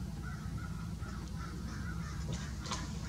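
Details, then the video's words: Several hoarse caws from crows mobbing a taiga-form Great Horned Owl, Grand Forks, North Dakota, April 20, 2018, given in quick series, with a sharper call near the end and a constant low roar beneath. "Great Horned Harrassed by crows"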